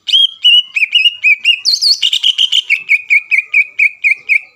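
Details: Greater green leafbird (cucak ijo) singing to provoke rival leafbirds and steady their temper before contests: rapid series of bright whistled notes, slurred downward then rising, repeated about three to four per second with a higher burst midway.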